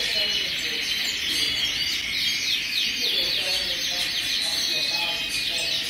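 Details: Hundreds of colorful canaries singing together, a dense, unbroken wall of high trills and warbling with no gaps between singers.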